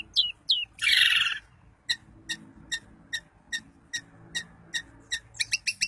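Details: Long-tailed shrike of the Daput style, singing to provoke other shrikes into singing. Two quick descending whistled notes are followed by a harsh rasping burst, then a run of sharp clicking ticks about every half second that speed up at the end.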